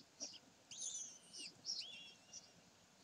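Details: Kestrels at Sägeweg on 27 May 2020 produce a short squeak, then a long shrill wavering squeal and a down-curving whine, followed by softer high notes.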